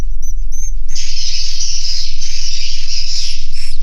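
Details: Swiftlets inside a swiftlet house: a few short, sharp high chirps, then a dense, continuous chorus of overlapping high twitters from many birds. A steady, low, throbbing hum pulses underneath throughout.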